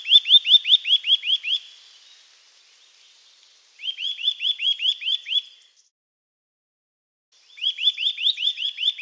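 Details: Song of a Eurasian nuthatch: bursts of quick, upslurred whistled notes, about six to eight in each phrase, repeated three times with pauses of roughly two seconds between phrases.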